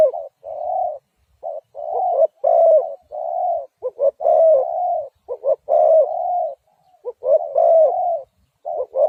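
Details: Dense, overlapping cooing of spotted dove, long slurred croos and shorter notes running almost without break, as if more than one bird calls at once.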